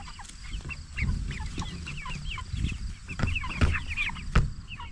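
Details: Forty-four-day-old jumbo Cornish Cross meat chickens peep continuously, a busy chorus of short downward-curving chirps, over low rumbling handling noise and occasional clicks.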